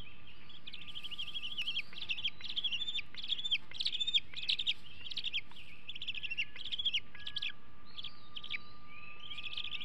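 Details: Young bald eagle on a Hanover nest, 2021, possessive and aggressive over food shortly before fledging: continuous high, squeaky chittering in repeated clustered bursts, with a few longer whistled slurs, under steady low rumble.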